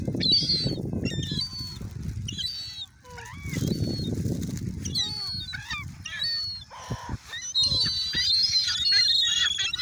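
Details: Seagulls at Oyster Bay crowding in to be fed, many birds calling at once with high squeals and curved, descending mewing notes, interrupted by low rumbling noise and sharp knocks.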